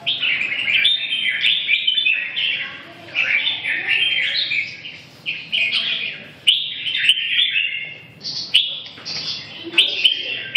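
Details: Red-whiskered bulbul delivering lively warbled song, clustered whistled phrases separated by brief gaps, with a few sharp clicks and knocks standing out; quiet backdrop otherwise.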